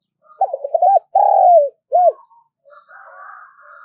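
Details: Spotted dove calling as a lure: rapid broken notes, a sustained throaty coo falling away, and a short closing note, after which a fainter, harsher, wavering sound continues in the background.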